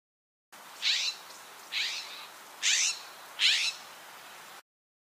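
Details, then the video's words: A California Scrub Jay gives four harsh, raspy, rising calls, about one every second, against a quiet background. "California Scrub Jay"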